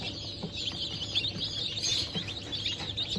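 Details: Newly hatched chicks of Sussex, Sultan, Türken and Australorp breeds, hatched 8 March 2024: a dense chorus of high thin peeps from many chicks overlapping continuously, with low background rumble.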